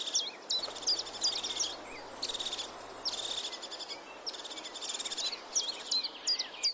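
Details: European crested tit calling: high buzzy purring trills in short bursts alternating with thin hooked tick notes, irregularly spaced, with a brief low hum in the first half.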